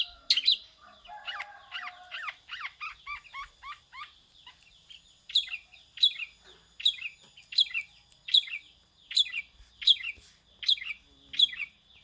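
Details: Long-tailed shrike mimicking a prinia: an opening stretch of fast, varied twittering notes, followed by a steady series of single sharp high chirps repeated about every three quarters of a second.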